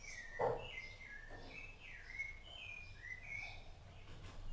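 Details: Rufous-bellied thrush, seen feeding its chicks, sings a run of fluty whistled notes that alternately swoop down and rise. A short low knock comes near the start, over a faint background hum.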